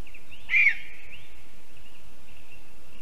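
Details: Female lesser spotted eagle back from Africa at her spruce nest in Zemgale, Latvia, on the evening of 11 April 2022, ready to breed. She gives a single loud, high yelping note lasting about a quarter second over a steady faint background hum.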